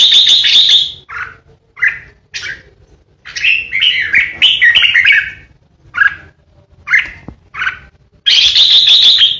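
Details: Caged red-whiskered bulbul singing loud 'ché' competition song: a strong opening phrase, then rapid chirps and a long rolling warble, more single notes, and a final loud bubbly burst, all close to the recorder.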